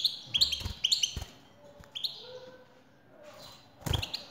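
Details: Excited twittering from a male European goldfinch responding to a female's call. Bright chirps open the clip, followed by a few sparse notes, a faint lower whistle and a closing burst with a knock.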